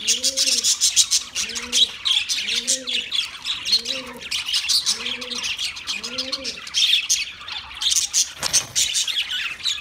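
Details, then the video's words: Constant high, scratchy budgie chirping and twittering fills the recording, with six evenly spaced low, rounded cooing notes beneath about every second and a brief dull thump near the end. "Birds Singing Beautiful Budgie Sounds Parrot Talking voice"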